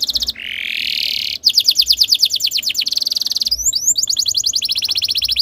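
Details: Canary tutor song meant to trigger singing in other canaries: a buzzy rising note followed by long, fast rhythmic trills of repeated syllables with brief swept notes between tours.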